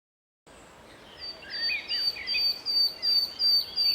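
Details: Common nightingale singing in a city park in Strzelce Opolskie in May 2012: clear, high whistled notes and rapid sweeping phrases repeated several times a second, loud against faint background hiss.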